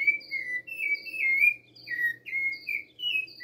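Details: A rufous-bellied thrush sings clear, fluting whistled phrases, each about half a second, alternating higher and lower, with a cricket calling in the background as a faint steady low hum.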